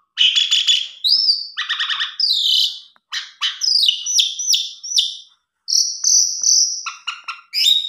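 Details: Asian pied starling with a rich fill-in song, played to prompt a lazy or stressed starling to sing: quick bursts of harsh chattering notes alternate with clear rising and falling whistles, broken by short pauses.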